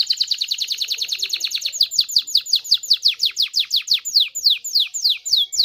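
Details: Canary singing intended to encourage mating: very fast high chirps that slow into clearly separated down-slurred whistled notes, about three per second.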